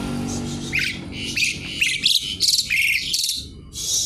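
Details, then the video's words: Javan pied starling in energetic song: dense, harsh chattering phrases packed with squeaky chirps, pouring out in quick bursts over a faint low hum. "Jalak suren gacor isian ribut mencari lawan"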